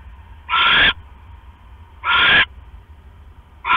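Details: Owl pair at a nest with eggs, late evening of October 5, 2015, the male bringing a rat; raspy, noisy screeches about half a second long repeated roughly every one and a half seconds over a low hum.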